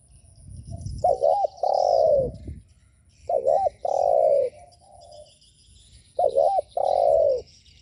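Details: Spotted dove cooing to provoke other doves: three low phrases, each a quick wavering double note followed by a longer steady coo, repeated every two to three seconds, with faint chirps of other birds behind.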